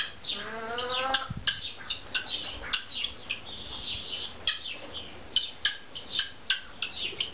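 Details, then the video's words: Brahma chickens giving rapid high peeping calls, repeated several times per second, with a few descending harmonic cheeps near the start and occasional wing flutters. "Brahma chickens"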